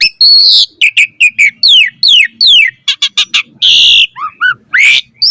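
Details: Varied Asian pied starling song used as a master track for other starlings: dense harsh rasping bursts, steep falling whistles, a broad buzzy squawk and a few rising whistled notes, all loud and close.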